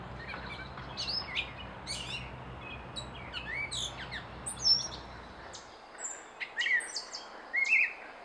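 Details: Continuous varied song of a wild Gray Catbird in Canada: scratchy chirps, whistled slurs and squeaky notes tumbling one after another, with louder phrases toward the end.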